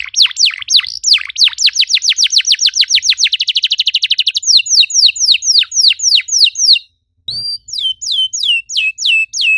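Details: Canary song used as a lure to stimulate other canaries to sing: rapid repeated downslurred whistled notes between roughly 2 and 8k, slowing into longer loud descending sweeps, a brief pause, then rising hooked whistles repeated steadily.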